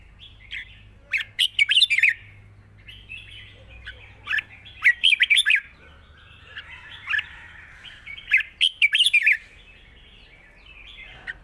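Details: Caged red-whiskered bulbul, an easy singer, delivering a long song with 'rik' flourishes: bursts of bright, warbled, chattering phrases separated by short pauses, with several quick rising notes clustered near the middle and end; a quiet low hum underneath.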